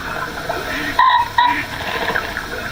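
A Ring-necked Pheasant gives two harsh, abrupt notes about half a second apart, over a steady rushing background hiss.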